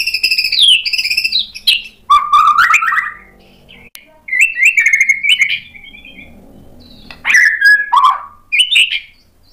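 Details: White-rumped shama answering a provoking lure, showing off learned imitations. Varied looping whistles mix with scratchy chatter in several bursts, with pauses between them.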